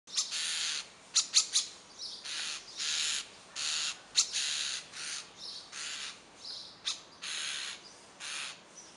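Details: A noisy group of common starlings gives a rapid run of harsh, grating, hissy calls, with some sharp clicking notes between them, in a near-continuous chatter.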